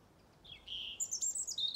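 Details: A European robin's thin, wistful autumn song from a fought-over territory on a farm in Ireland: a drawn-out high note sliding down, then quick sparkling twitters climbing higher, with faint background hiss.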